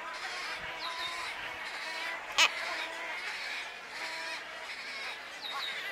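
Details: Wood stork chicks at Wakodahatchee Wetlands, Florida, keep up a steady, raspy, nasal chorus of overlapping begging calls, with one sharp, louder burst midway.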